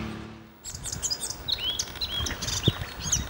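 A Eurasian blackcap delivers a quick, varied warble of high, clear slurred notes, starting after a brief pause, over a low rumbling background.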